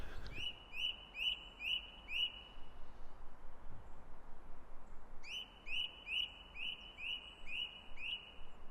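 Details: Song thrush singing in trees, drawing closer: one pure, whistled note repeated about twice a second in two runs of five to seven. It repeats phrases it likes. A steady low rumble of wind or distant traffic runs underneath.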